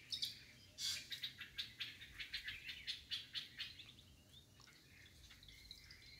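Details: A wild-caught young White-rumped Shama gives a quick run of bright, sharp chirps, about a dozen in three seconds, then softer scattered notes against a faint background hiss.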